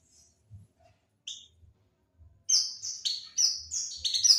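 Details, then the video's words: Lure sound of an Oriental white-eye, meant to attract birds: near silence with two isolated high chirps, then a run of sharp, high, slurred tweets packed closely together in the second half. "suara pancingan burung pleci"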